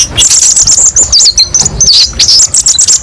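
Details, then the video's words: Konin song of hurried, needle-thin chirps and squeaky slurred notes, about two or three per second in loose clusters, part of a kolibri ninja recording with many varied 'tembakan pedes' phrases. "TERAPI BURUNG KOLIBRI NINJA: BANYAK VARIASI TEMBAKAN PEDES & MASTERAN KONIN PALING DICARI"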